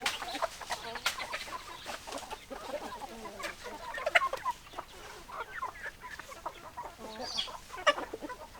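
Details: Flock of chickens, hens clucking in a busy chorus of short overlapping clucks and squawks, several birds calling at once with occasional louder sharp notes.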